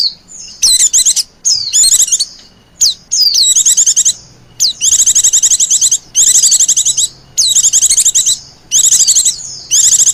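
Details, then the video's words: White-eye calls meant to attract wild white-eyes: high-pitched, rapidly pulsed chattering bursts alternating with thin falling whistles, repeated with little pause. "SUARA PIKAT BURUNG PLECI JITU DAN AMPUH MEMANGGIL PLECI LIAR"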